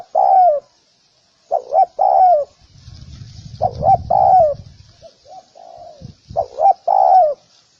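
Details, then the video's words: Spotted dove calling: loud phrases of two quick soft coos followed by a longer drawn-out coo with a falling end, repeated in groups, plus a quieter slurred coo; a brief low rumble in the middle and a faint high hiss throughout. "Spotted_Dove_ki_Awaaz | Amazing call sound effect | Spotted_Dove"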